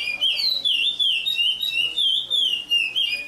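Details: Chestnut-bellied seed finch from Paracambi, Brazil, singing a continuous clear whistled song of smoothly wavering, gliding notes rising and falling without pause.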